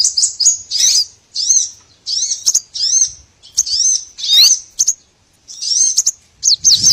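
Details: High chirping of small birds, recorded as a lure for trapping, with arched slurred notes delivered in clusters about every second, separated by short quiet gaps.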